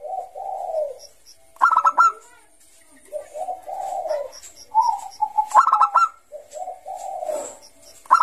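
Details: Zebra dove, Bangkok type, singing hard in ngayer style as a lure for young birds; mellow drawn-out coos alternate with sharp rapid bursts of stuttering notes, repeated several times.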